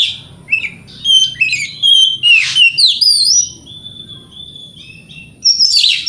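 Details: White-rumped shama song meant to provoke rival shamas: rapid varied phrases of clear whistles, sweeping slurred notes and harsh rasps, then a long level whistle and a final buzzy burst.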